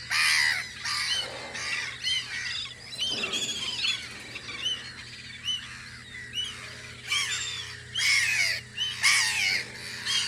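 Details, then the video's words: Gulls guarding their post on Audru polder in spring erupt in bursts of harsh, arched squawking calls roughly once a second, with brief lulls between clusters and a background drone. "Kajakate vahipost Audru poldril"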